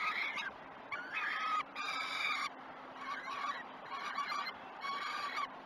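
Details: Peregrine falcons filmed by a live nest camera at Great Spirit Bluff, 21 June 2018, morning breakfast feeding: rough, drawn-out wails, some softer, repeated about six times with short gaps over a faint steady hum.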